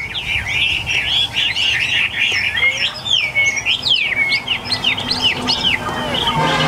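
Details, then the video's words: Tame caged Chinese hwamei, one of eight newly arrived birds, singing a rich, fast run of whistled, slurred notes that rise and fall without pause, with other hwamei overlapping and a low background hum. "8 em hoạ mi thuần, mới về phục vụ anh em | Hoạt Họa Mi"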